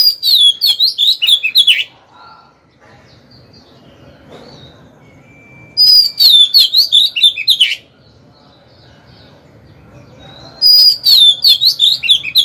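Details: Decoy Oriental magpie-robin singing to entice rival birds into combat: three loud bursts of quick, rolling whistled notes, each about two seconds long and separated by roughly four seconds of near silence with a faint thin tone.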